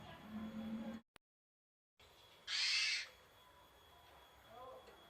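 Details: Jalak uren, the Javan pied starling, in its basic song: a loud, hoarse, rasping burst after a brief silent gap, preceded by low murmuring sound and followed by faint chatter.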